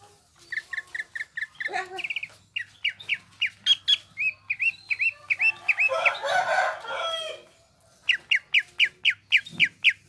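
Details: Lively greater green leafbird song: quick repeated whistles and upslurred chirps, interrupted midway by a harsh noisy burst, then a resumed string of sharp rising notes over a faint low hum.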